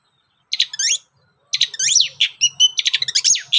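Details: Long-tailed shrike lure song: after a brief silence, loud grating chatter mixed with looping whistles and a few pure tones, delivered in a fast, jumbled run.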